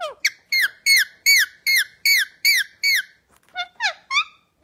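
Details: Pet Indian ringneck parakeet chirping while cuddling: a steady run of bright, down-slurred harmonic chirps, about two and a half each second, then a looser cluster of higher, rising and falling notes near the end; indoors.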